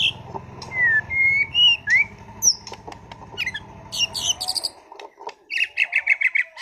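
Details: A competition-class white-rumped shama singing a varied song of clear rising whistles, sharp chips and a fast burst of repeated buzzy notes, with a low hum early on.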